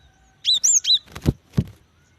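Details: Female cinereous tit calling a male: a fast burst of three high, thin, slurred chirps, followed by two dull knocking thumps.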